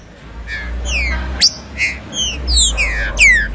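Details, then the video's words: Short burst of trinca-ferro (green-winged saltator) 'abrir canto' song: several clear downward-sliding whistles and a buzzy note, over a noticeable low rumbling background. "ABRIR CANTO DE TRINCA FERRO"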